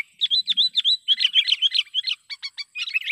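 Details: Lively sooty-headed bulbul lure call for trapping, also used to tutor young and wild-caught birds: rapid, continuous chirping, roughly four notes a second, bright bubbly whistles that turn into clipped, staccato chips.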